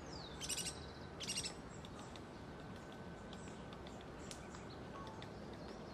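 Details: Juvenile Checkered Woodpecker in Costanera Sur Ecological Reserve, Buenos Aires, 8 February 2022, calling repeatedly to be fed while an adult searches for food for it; two short, harsh, harmonic-rich calls in the first second and a half, then steady hiss with faint distant chirps.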